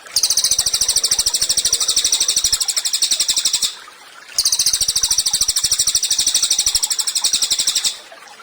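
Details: Cililin singing strongly, offered as tutor song for other songbirds: two long phrases of fast, shrill, machine-like repeated notes, each about three and a half seconds, with a pause between.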